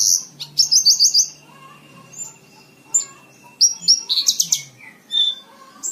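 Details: Horsfield's bush lark song used as a tutor recording for training cage birds: high, varied chirps and a fast run of five sharp repeated notes, then scattered whistles, buzzy bursts and a descending slur, with faint low hum beneath.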